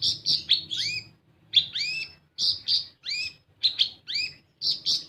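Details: Lure song of the olive-backed sunbird (kolibri ninja), played to spur untrained birds to sing: grouped pairs of high, bright chirps, some buzzy, some sweeping upward, repeated in short clusters with brief pauses and soft background noise.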